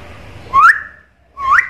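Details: A talking black-capped lory gives two loud, clear whistles, each sliding sharply upward, about a second apart, over a faint low room hum.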